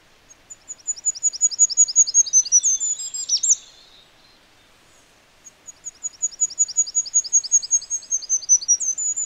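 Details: Goldcrest song from free-living wild birds: a very high, thin, rapid series of cycling see-saw notes that ends in a brief twittering flourish, a pause of about two seconds, then the same repeating phrase again. No other sounds.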